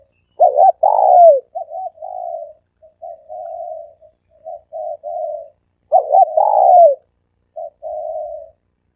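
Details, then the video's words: Cooing of a dove used as a decoy lure, three-coo style: a stuttering pair of notes and a long falling coo, then a string of softer, flatter coos, with the pattern repeating near the end. "เสียงนกเขาสามกุก เสียงนกเขา เสียงนกเขาใช้สำหรับต่อ เสียงนกเขาต่อหมานเข้าเร็ว"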